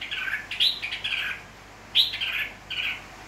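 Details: Wild-caught, people-tamed red-whiskered bulbul from Nghệ An, Vietnam, 29 April 2024: rich warbling phrases with a brief lull, then a sharp accented note followed by two more melodious phrases.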